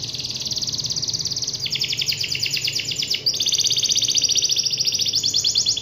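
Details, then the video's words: Canary singing vigorously to challenge a rival, stringing together unbroken fast trills that jump between several distinct tours of rapid repeated notes without pause. "suara burung kenari gacor memanggil lawan"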